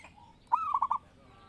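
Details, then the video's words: Zebra dove song played to lure and train birds. One short cooing phrase: an upswept opening note, then three rapid rolled pulses, with a faint steady tone before it. "Pancingan Burung Perkutut Gacor"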